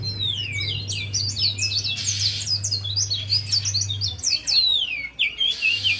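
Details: Lure song of a Javan white-eye meant to make a lazy bird sing; nonstop, fast high twittering of rising and falling whistled notes, loud and dense throughout, with a low hum fading out near the end.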